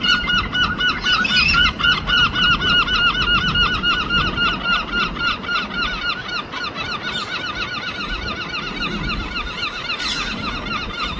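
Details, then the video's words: Herring gulls in London call together in a loud, rapid duet of harsh, yelping notes, about three or four per second, with a steady low outdoor rumble behind. "Wildlife Duets Singing ( Herring gull )"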